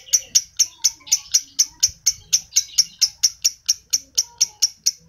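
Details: Lovebird chirping meant to stir adult lovebirds: bright, piercing notes fired roughly twice per second in an even run, with a few soft lower tones and quiet background.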